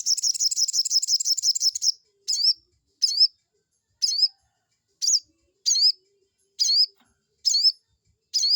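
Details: Crested jay lure to provoke a rival: a two-second rapid rattle of fast repeated high wavering notes, followed by a regular series of single high twisting notes about once per second.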